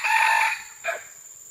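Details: Red junglefowl, recorded June 12, 2011: the drawn-out harsh end of a crow followed by one short clipped note, with a steady high insect drone behind.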